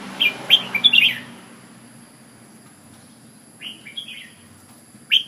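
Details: Red-whiskered bulbul from Ubon: a short burst of bright chirped notes, a long quiet gap, then a softer phrase and a final sharp note, all over a low hum.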